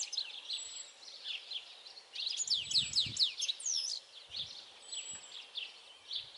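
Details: European goldfinch song on 22 May 2021: a lively, scratchy twitter of high notes that swells midway into a dense, rapid jumble, over faint background noise and a few low thuds.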